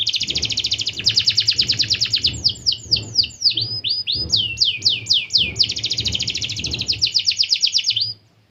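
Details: Canary giving long rolling song to prompt other canaries to answer: dense buzzy trills lasting seconds, interrupted by clear looping chirps, then another long roll ending abruptly, over faint low hum.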